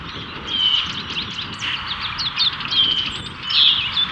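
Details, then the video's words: Male Brown-headed cowbird courting a female with a display in spring 2024, Cook County, Illinois; the female takes a cicada. Rapid high chirps and thin whistles cluster in a busy twittering stream with brief piercing squeaks. "BROWN-HEADED COWBIRD courts female"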